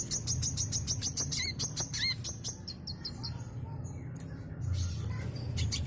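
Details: Sooty-headed bulbul singing continuously, used as a lure for other birds: rapid high sharp chirps and ticks in quick bursts with a few short clear whistled notes, over a steady low hum.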